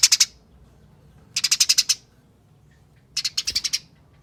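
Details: Eurasian tree sparrow fighting chatter, used as a lure to get other sparrows singing: three quick bursts of harsh, rapid chips, each a tight run of four to seven notes, separated by short silences.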